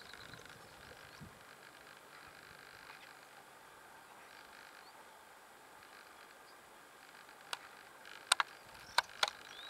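European stonechat: quiet at first, then four or five hard clicking 'tak' notes, like pebbles knocked together, over a faint steady background hiss.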